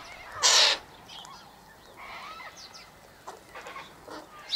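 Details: A sulphur-crested cockatoo at a seed spread of sunflower, wheat and birdseed by an eastern gate lets out one short, piercing harsh screech, then fainter scratchy calls in the background.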